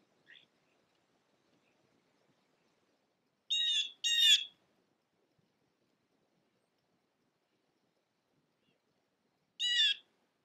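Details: Blue jay at a backyard peanut wreath, feeding on peanuts: a brief soft note, then two loud harsh calls rich in overtones in quick succession, a long quiet gap, and one more matching call at the end.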